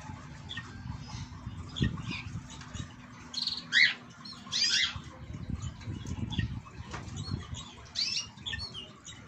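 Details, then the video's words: Goldfinches courting: bursts of quick, bright twittering and chirps come in short phrases through the recording, mixed with wing flutters and low rumbling background noise. "Jilgueros cortejandose!!!!"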